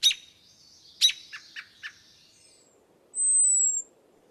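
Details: American robin giving a high-pitched warning of an aerial predator such as a hawk: a thin, very high, slightly falling seee lasting under a second, preceded by sharp chips and a few short lower notes.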